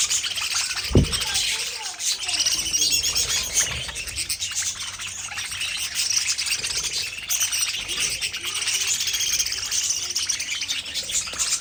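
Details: Aviary budgies chatter in a lively, overlapping stream of high chirps, warbles and quick twitters, with a short knock near the start.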